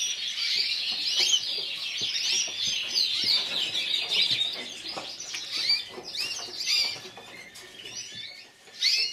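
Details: Song of a yellow frosted lipochrome canary, individual runner-up at Burgos 2014: dense high twittering and rolling trills that thin out into separate bursts and brief pauses toward the end.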